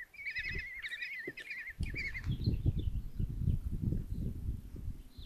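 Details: Common kestrel chicks, five being fed breakfast by the mother in a nest box at Tiszalök, Hungary, on 26 June 2024; a brief run of quavering begging calls for about two seconds, then mostly low rumbling nest noise.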